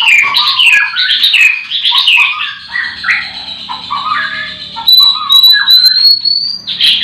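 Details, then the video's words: Morning chorus in a white-rumped shama breeding farm, every bird singing: continuous rich warbling of swooping whistles and chatter, ending with a long thin whistle that slowly rises. "Pancingan murai batu di kandang ternak ll chirping magpie"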